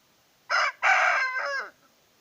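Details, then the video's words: Aseel rooster crowing: a short harsh opening note, a brief gap, then a long rasping drawn-out note that sags in pitch at the end. "20 Aseel murg AZAN ! Plus rooster crowing sound effect"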